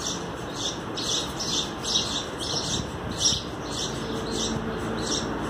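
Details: Sparrow chicks being fed by their parents, recorded 27 April 2019 for sparrow conservation; high, thin chirps repeat in quick bursts about once a second over a steady background hiss and hum.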